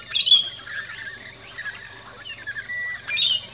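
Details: Rainbow lorikeets in an Australian backyard at a feeding station, giving shrill, harsh chirps and short squawks, with louder bursts at the start and end and softer chatter between.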